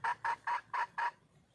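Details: A female red junglefowl calls for a male with five short, harsh, evenly spaced clucks about a quarter second apart, then quiet.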